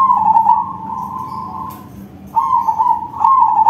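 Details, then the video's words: Big-voiced song of a perkutut crossing, a crossbred zebra dove: a long trilled coo trailing off, a brief lull, then renewed rolling phrases with a lilting rhythm. "Perkutut crossing manggung suara besar || Suara perkutut crossing"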